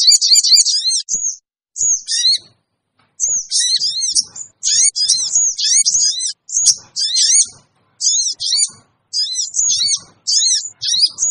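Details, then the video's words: High, sharp sooty-headed bulbul chirps used as a lure to draw wild birds: clustered chevron notes in short bursts with irregular gaps throughout. "suara pikat burung kecil sogon bikin sogon liar cepat ngumpul"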